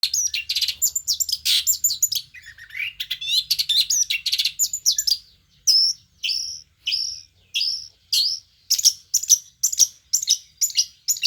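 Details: Long-tailed shrike (cendet) from Banyuwangi: a dense run of rapid, varied high chirps and twitters over the first five seconds, then separate sharp, downslurred whistled notes repeated about every half second, speeding up toward the end.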